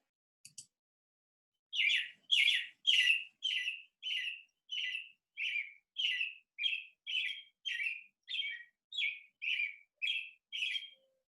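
An American Robin sings a steady run of short, slurred, mid-pitched phrases, about two each second, against a quiet background.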